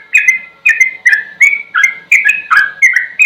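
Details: Sooty-headed bulbul singing a slow ropel-style song for tutoring other birds: short bubbly whistled phrases, each falling slightly, repeated about twice a second, with faint high ticking notes above.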